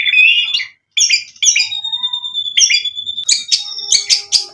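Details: Chattering white-rumped shama song used as a provocation lure: bright whistled phrases broken by short pauses, a sustained thin whistle, then dense buzzy high chirps toward the end.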